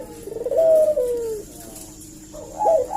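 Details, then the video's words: Collared dove cooing as a lure call meant to draw a reply from other doves: a drawn-out, descending hoarse coo, then a shorter rising-falling coo after a pause, in a quiet indoor setting. "suara burung puter gacor ini pancingan nyaut"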